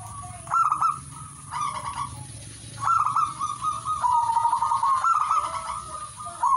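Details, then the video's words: Singing zebra dove gives repeated trilled, bubbling coo phrases, first as short separate bursts and then in longer, nearly continuous rolling runs. A faint constant high hiss persists throughout. "singing birds of turtledove"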